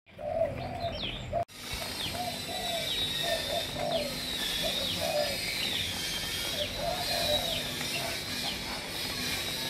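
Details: Spotted doves of Malaysian strains, several lines kept for breeding, cooing: low, soft, rounded phrases repeated throughout, while other small birds chirp high and thin in the background.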